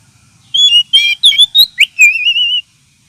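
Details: Oriental magpie-robin lure and therapy call for birds lacking aggression: a clean whistle followed by a fast run of varied whistled and slurred notes, closing with a long warbling whistle that wavers gently in pitch.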